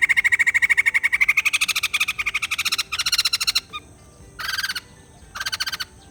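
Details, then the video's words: White-crested laughingthrush: a fast harsh rattle with a ringing tone runs into chopped bursts, then two short separate spurts of pulsed chatter after a pause. "Poksai Jambul males bunyi, dengar suara ini malah GACOR"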